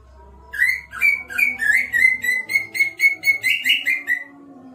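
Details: Greater green leafbird in full, lively song: a rapid series of about fifteen clear whistled notes, mostly level or slightly downslurred, delivered several per second with a brief rising flourish near the end; soft background hum.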